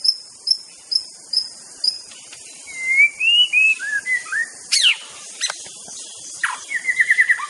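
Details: Aceh white-rumped shama in master song, opening with a series of high thin repeated notes, then smooth rising and falling whistles, a sharp sweeping note and a fast trill of short repeated chips at the end.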